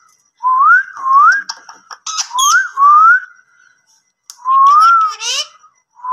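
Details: Indian ringneck parrot giving clear rising whistled notes, several in a row, mixed with brief clicks and a short harsh chatter near the end.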